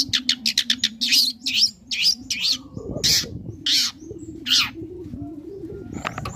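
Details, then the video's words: Young long-tailed shrike singing to provoke other shrikes into calling back: quick staccato chirps, then broader raspy notes, over a steady low hum throughout. "Cendet Muda Gacor Belajar Materi Bikin Cendet Manapun Auto Nyaut Emosi Ikut Bunyi"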